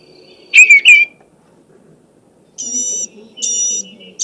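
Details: Blue-gray gnatcatcher (Polioptila caerulea) song: high, thin, wheezy notes in short paired bursts that start simple and grow more complex, over a low indoor hum.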